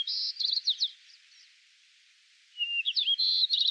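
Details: A White-crowned Sparrow in Yellowstone National Park sings two different song types: a clear whistle, then buzzy trills and quick chirps, with a short pause between the two songs.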